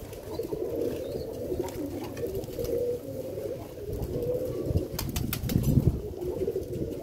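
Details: Pigeons cooing in low drawn-out rolling phrases repeated throughout, with a few sharp clicks and rustling in the middle.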